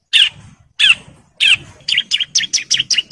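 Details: Male bar-winged prinia in breeding condition calling females: three harsh, loud rasping notes about half a second apart, then a quick run of sharp repeated chips, in a dry, continuous 'ngebren' style.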